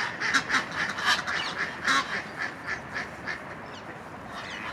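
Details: Egyptian goose during a rival gander's attempt to regain his female: a few harsh, nasal honks at the start that soften and fade into a quieter rasping background by the end.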